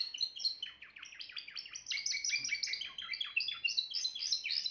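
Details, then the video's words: Timbrado canary in continuous song: rapid rolling trills of bubbly notes, shifting between lower and higher phrases without a break, at a brisk steady pace. "meilleur chant canari l chant canari timbrado"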